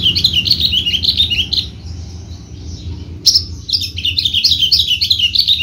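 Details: Javan-type Horsfield's bushlark kept as a songbird-contest entrant and noted for a varied, complete repertoire. Bright, rapid chirping and trilled phrases run continuously, pause briefly for over a second, then resume equally fast and jumbled, over a low hum.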